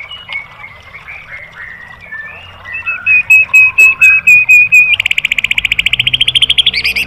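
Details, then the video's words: White-rumped shama song, master recording for training caged birds in 'tembakan' style: slurred whistles wandering near mid pitch, a loud steady note repeated about twice a second, then a fast, buzzy high trill. "MASTERAN MURAI BATU biar EMOSI NYAUT jadi GACOR BONGKAR MATERI TEMBAKAN"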